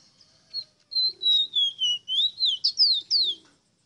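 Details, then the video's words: ['Ruddy-breasted seedeater delivering a clean run of about eight high, sweet whistled notes, each slurring down then up, quickening into sharp downslurred whistles near the end.'] "CANTO DE AVE ROSITA"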